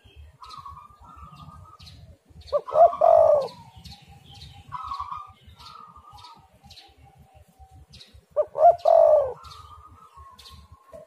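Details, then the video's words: Recording used to lure spotted doves into calling: two loud, rolling coo phrases several seconds apart, with fainter level hums between them, scattered high chirps, and constant low rumbling noise. "derkuku super gacor suara angin Topan"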